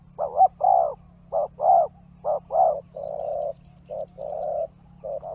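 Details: Spotted dove calls used for luring wild birds in Indonesia; repeated low, soft cooing phrases of two to three notes, with longer purring coos, steady over five seconds, with a constant low hum beneath.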